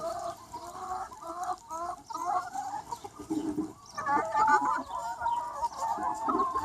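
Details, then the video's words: Sunny spring day with a free-range chicken flock of around 200 birds, choppy short clucks in quick bursts early on, then a louder wash of overlapping drawn-out calls. "Chicken Sounds 1 Hour - Chicken Sound Effect"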